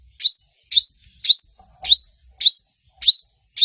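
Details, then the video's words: Sogon repeating a crisp upswept whistled chirp about every half second, very evenly spaced, a lure meant to get other sogon to answer. "Suara Sogon Gacor - Sogon Ijoan, Trotol, Macet Pasti Langsung Nyaut"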